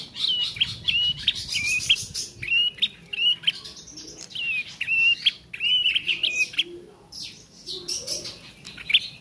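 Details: Juvenile bar-winged prinia practising its song, giving quick clusters of thin, bent whistled notes in uneven runs of three to five, separated by brief pauses, with faint buzzy texture between phrases.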